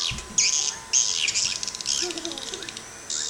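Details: Swiftlet sound tested in the Sabah area: rapid, buzzy, high-pitched twittering chirps in short irregular bursts, about two a second, with a faint low hum underneath.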